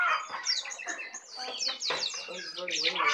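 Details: A tame Brown prinia in full 'isian' song, singing a long run; a fast, nonstop stream of high downslurred chirps and twittering phrases, busy and varied throughout.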